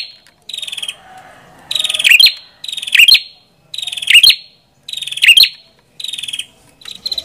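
An Ashy Tailorbird sings high, buzzy, slightly falling trills, each about half a second long. Each phrase ends in sharp chips, repeated roughly once a second.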